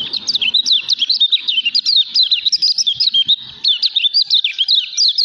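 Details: Lemon-bellied white-eye in vigorous, nonstop song: rapid chattering of high twittering notes, each a quick up-and-down slur, pouring out in dense bursts with hardly a pause; faint low knocks beneath.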